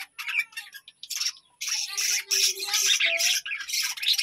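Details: Budgerigars kept in a colony at a village home give fast, harsh, high chatter and squawky chirps, building into an almost continuous stream of overlapping notes.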